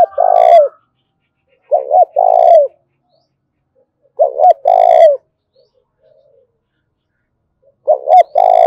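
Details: Lure recording of a Spotted dove giving the 'thổ đồng' style call to provoke wild doves. Four low mellow phrases, each two short hooked notes followed by a drawn-out descending coo, repeated every two to three seconds against silence.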